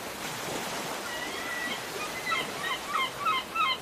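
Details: Gulls calling over ocean waves: a steady wash of surf, then from mid-clip a series of short, sharply descending yelping calls with bright overtones, growing louder and more crowded toward the end.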